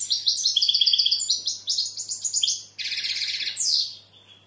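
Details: European goldfinch delivering a quick series of bright tinkling notes, then a harsh buzzy rattle and a rising slurred twitter that fades out.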